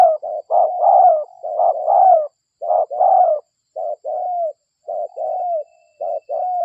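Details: Spotted dove (local derkuku) recorded as a lure to draw other doves: a run of short and drawn-out husky coos, roughly one phrase per second, loud and persistent throughout.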